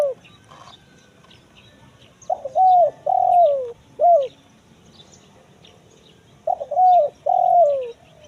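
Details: Spotted dove in the kuk 1 mersik call type, used to draw wild birds in the forest: two coo phrases a few seconds apart, each a clipped lead note, a warbled coo, a long falling coo and a short tail note.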